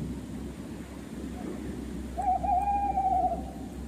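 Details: Tawny owl played back for children during a nature segment on owls; after a quiet stretch of background hiss, one long, wavering hoot sounds, steady in pitch and slightly tremulous at its end.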